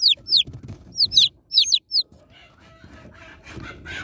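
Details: Baby chicks being unboxed peep in a quick string of high falling chirps, then fall quiet as rustling, a low tone and muffled noise take over.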